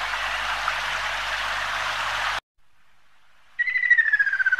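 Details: Loud broadband rushing noise gives way to a short silence, then a Ruddy kingfisher's pulsed whistled trill begins, sliding downward and cut off after about a second.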